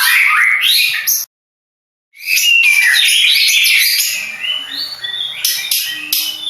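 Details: Competition-winning Madura long-tailed shrike giving harsh scratchy phrases, a sudden silent gap of about a second, then renewed dense chattering with mixed whistled notes and a faint low hum.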